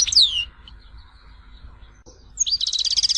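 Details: European goldfinch from Tizi Ouzou, Algeria: a single loud downslurred whistle, a pause with faint background hum, then a quick buzzy repeated twitter.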